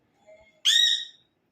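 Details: Single loud, harsh, grating screech from a ringneck parrot, about half a second long, preceded by faint soft tones.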